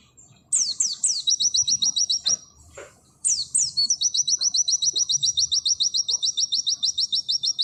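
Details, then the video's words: Oriental white-eye singing gacor 'nembak sejalur', said to include canary-like fill: three steeply descending whistles lead into long runs of fast, piercing repeated notes, twice, in a quiet setting. "Masteran full materi burung pleci nembak sejalur Pleci auri"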